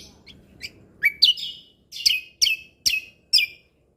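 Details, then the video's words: Gacor mentalan singing from a lesser green leafbird, used as tembakan tutor material: a quiet start, then loud sweeping chirps about every half second, each a bright downslurred whistle. "Cucak Kombo Gacor Mentalan Pas Untuk Masteran Burung Isian Tembakan"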